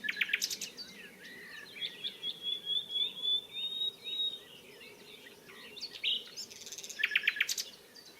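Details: Common nightingale in song at Barcombe, Sussex, on 30 April: loud bursts of rapid notes open and close the phrase, with a long thin rising whistle and soft warbling in between, against a low rumbling background.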